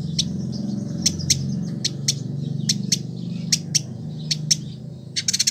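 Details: Village indigobird kept in a cage in Bandung, West Java, used as a master singer. Thin high ticking notes at irregular intervals, ending in a quick rattling cluster, against a loud low hum.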